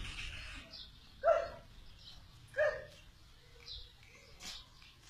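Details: Kept black francolins: two loud, harsh call notes about 1.3 seconds apart, each a short burst with a strong low tone and brighter overtones, followed by a few faint, softer notes over a low background rumble.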